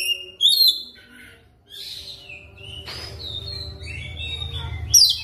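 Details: Oriental magpie-robin (kacer) lure song for training, fast rolling style: loud high whistled notes with rising sweeps, a quieter stretch of softer warbling in between, low background hum throughout.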